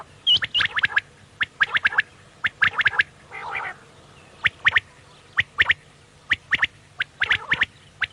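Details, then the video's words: Quail calling, linked to evening quail hunting; sharp clicky notes in tight groups of two or three, repeated about once a second, with a brief rougher burst midway and a low steady hum underneath. "new Quail bird Sound Fo Bater ki awaz Vol 26 Zabardast awaz Quails sound"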